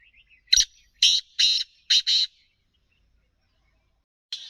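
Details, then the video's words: Kala teetar, a black francolin roaming free, gives a loud scratchy phrase of five rough notes, short-long-long-short-long, then silence before the next phrase begins near the end. Faint chirps precede it. "Kala Teetar ki Awaz Our Masti Black Francolin Calling"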